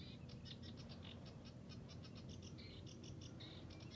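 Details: Sedge warbler in a reedbed at Hörningsholm on Alnö, Sweden, 9 July 2021, giving a quick run of scratchy chattering notes with a couple of short buzzy phrases, distant and faint under strong low rumble.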